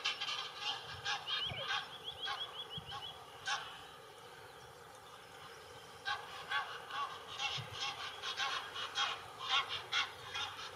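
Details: Several Egyptian geese on the Main near Würzburg, Germany, where they have settled; bursts of hoarse repeated honks, a short series of rapid nasal notes, a quiet pause, then renewed loud cackling honks.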